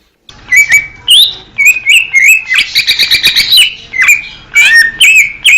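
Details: Wild greater green leafbird in Indonesia with a lively, varied song of warbled whistles, rising and falling phrases and a brief buzzy chatter in the middle, loud and clear.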